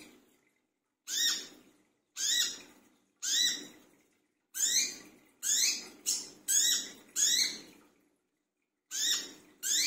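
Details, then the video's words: Brown-throated sunbird calling noisily at midnight, used as a lure sound: harsh, rasping notes with rising whistled streaks, about nine in irregular bursts separated by short silences. "burung wiceh / kolibri kelapa brisik tengah malam"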